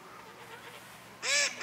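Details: Geese by a pond at Chevreuse in September 2018: faint low chattering, then a loud harsh nasal honk lasting about a quarter second, followed by the start of another.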